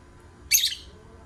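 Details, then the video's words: Lovebird giving a single sharp, shrill, high-pitched chirp of about a quarter second, loud and clear against a quiet, steady background hum. "Love Birds Singing"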